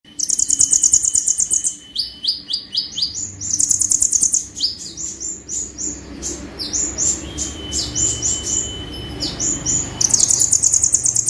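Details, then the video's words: Sunbird, konin, in lively gacor song of the tembakan style: rapid buzzy high trill bursts alternating with sharp repeated upward-sweeping notes, then a thin steady whistle, with faint low background hum. "KONIN GACOR FULL TEMBAKAN"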